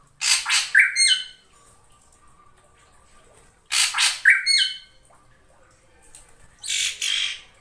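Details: Female drongo call used to lure a male, serving as a lure recording: loud harsh squawking bursts with short whistled tails, three groups about three seconds apart and quiet between them.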